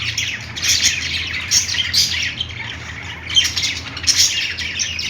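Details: Playing budgies give overlapping harsh chirps and short squeaky notes in several loud bursts, with a faint low hum underneath.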